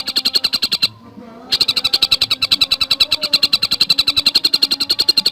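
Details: Javan cuckooshrike singing a fast, closely spaced song: a short run of high repeated notes, a half-second gap, then a long unbroken stream of quick sharp chirps.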